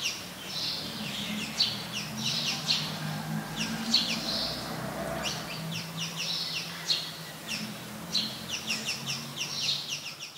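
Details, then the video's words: House sparrow, a very common resident, recorded in Ubon Ratchathani, Thailand, on 17 January 2020: a busy stream of short, harsh chirps and chirrups clustered in quick bursts, several overlapping, over a low steady background hum. "นกกระจอกใหญ่ (House Sparrow)"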